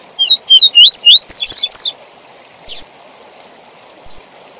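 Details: Double-collared seedeater giving its tui tui zel zel training song for young birds: paired whistled upslurs followed by buzzier high notes in a rapid two-second phrase, then two lone chips, with faint steady background noise.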